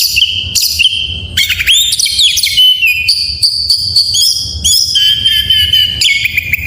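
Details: An Oriental magpie-robin sings rich full isian material meant to stir silent birds: clear ringing whistles held and then shifted, dense chattering runs and quick upward sweeps, loud and continuous, with faint low hum.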